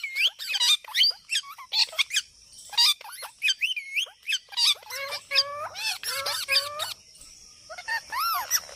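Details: Parrot calls: a busy mix of squeaky chirps, rising whistles and harsh squawks, with a string of looping whistled notes near the end and faint background noise.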